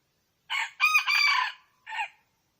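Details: Wild red junglefowl hen calling: a hoarse harmonic burst, then a longer rasping two-part phrase, and after a short pause a brief closing note. The whole call is about a second and a half, with a quiet background.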